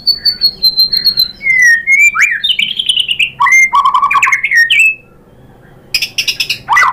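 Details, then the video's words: White-rumped shama, or murai batu, lure song to provoke rival shamas into agitated singing: a varied string of rich whistles, swoops and chattering bursts, a brief pause, then sharp clipped high notes and a rising whistle. "Suara MURAI BATU jadi EMOSI GACOR BONGKAR ISIAN | PANCINGAN MURAI ¦ SHAMA BIRD"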